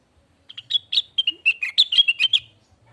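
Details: Lesser green leafbird (cucak wilis) song used as a lure and tutoring recording for birds: a rapid two-second run of bright, high chirps and short slurred whistles, closely packed and varied, over a quiet background with a faint low hum.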